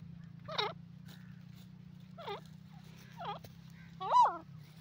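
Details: Grey francolin (teetar) calling four times at uneven gaps of about one to two seconds: nasal, bending notes, the last loudest and most rising, against a quiet low hum.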